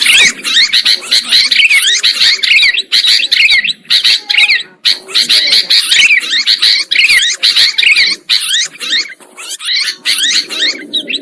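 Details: Sooty-headed bulbuls in a trapping lure recording: long, crowded stretches of rasping, zigzagging chatter from several birds, separated by short breaks.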